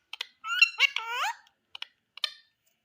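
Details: {'caption': 'Indian ringneck parakeet giving a short, bending, speech-like phrase between sharp clicking ticks, high and raspy, lasting about a second.'}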